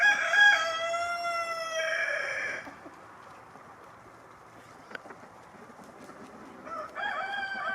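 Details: Rooster crowing outdoors in snow among pecking hens, with the roosters strutting about. One loud, harmonic, drawn-out crow lasts about two and a half seconds. A quiet pause with a faint click follows, then a second crow begins near the end.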